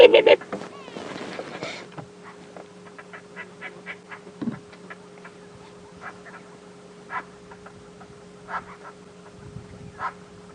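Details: A lilac-breasted roller gives two seconds of harsh, rasping squawks, followed by sparse quieter notes over a vehicle engine hum, on a July 14, 2016 morning safari drive at Djuma; it is agitated by purple rollers, possibly near its nest.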